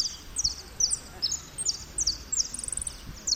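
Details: Repique song from a contest saffron finch at Merlo, ranked third, 03/01/2016: high, clipped notes repeated about two or three per second, each a quick downward slur, over light background noise.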